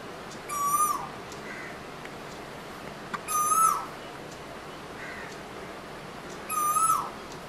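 A male Asian koel gives three loud, whistled ku-oo notes, each rising then dipping, spaced about three seconds apart, with faint high chirps from another bird.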